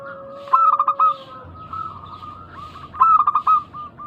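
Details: Zebra doves of a local strain calling briskly, recorded as a lure to prompt other doves to call back; a clear rapid rolling coo opens and another closes, with fainter overlapping cooing and a low steady tone between them.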